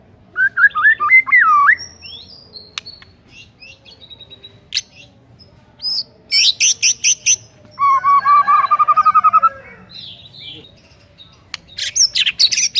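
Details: Lively white-rumped shama singing, played to coax silent birds into song: looping whistled phrases, then a series of sharp high chips and a fast rattling trill, with quieter gaps between bursts.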